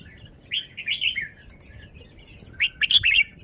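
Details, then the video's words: Song of a red-whiskered bulbul: a run of mellow warbled notes, a brief pause, then a loud, emphatic burst of sharp whistled syllables; low hum underneath. "นกกรงหัวจุก 878 จ้าวมีโชค"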